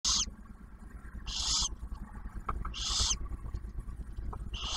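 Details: Barn owls at a nest box camera near Oak Harbor, Ohio, Ottawa National Wildlife Refuge, as the male delivers food and the female shares a meal with the first hatched owlet; four harsh hissing screeches over steady low rumble.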